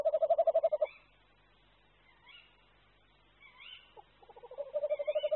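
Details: Courting tawny owl pair at a previously used tree nest. The male's soft, deep, rapidly pulsed ocarina-like trill ends, faint rising kew-wick calls from the female follow, then the male's steady throaty trill builds again.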